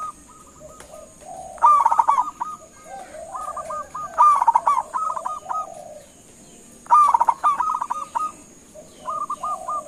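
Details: Perkutut, a local zebra dove, giving its answer-provoking call: staccato series of short coos broken by louder bubbling, tremulous bursts, in three main bouts over ten seconds, with a steady hiss in the background.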